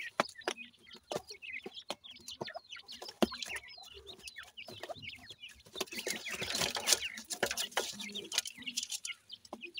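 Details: Captive black francolin (dakhni teetar) chicks from Pakistan at feeding time, giving scattered high chirps amid frequent sharp pecking clicks and a rustling patch near the end.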